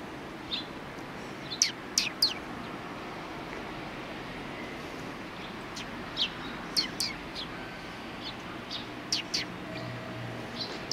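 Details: Eurasian tree sparrows resting after feeding, recorded 26 January 2020: scattered short, sharp chirps, some in quick pairs, over a steady broadband background hiss.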